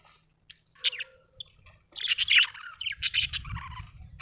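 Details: Budgerigar in a happy mood, chirping: sparse sharp chirps at first, then a dense run of harsh squawks and warbled chatter over a low rumbling background.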